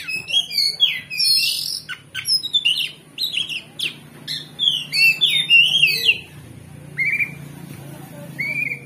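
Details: Oriental magpie-robin singing loud and non-stop, showing off its full repertoire, used as a lure to rouse another magpie-robin into fighting back. Rapid varied whistles, chirps and slurred notes at a quick uneven pace, with a low steady hum beneath.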